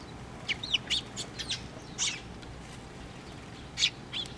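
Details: Sparrows flocking to a post-mounted feeder at a Tenmangu shrine on 24 June 2023, giving a quick run of high, sharp chirps for about one and a half seconds, a pause, then a few more isolated chirps.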